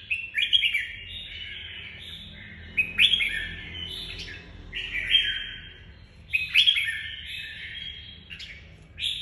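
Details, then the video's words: Red-whiskered bulbul singing in the Vietnamese "nhảy cóc" (hopping) style: bright, liquid, warbled phrases with sharp upward flicks, given in bursts roughly every two to three seconds. A steady low hum sits in the background. "Chào mào nhảy cóc lối đánh nhiều người mê ước"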